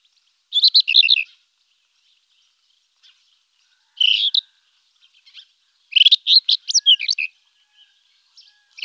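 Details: Rufous-tailed scrub robin singing three separate phrases, each a rapid cluster of sweet, warbled high notes with silent gaps between, the last phrase longest and most varied; no other sounds.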